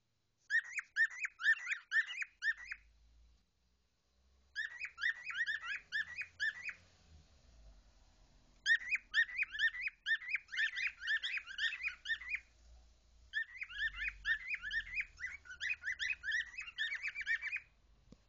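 A cockatiel gives bursts of quick, squeaky chirps, each run lasting a couple of seconds with brief pauses.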